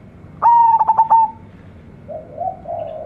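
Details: Zebra dove, a local bird bred from a champion lure dove: one pulsed, sustained whistled phrase fading away, then quieter low wavering coos.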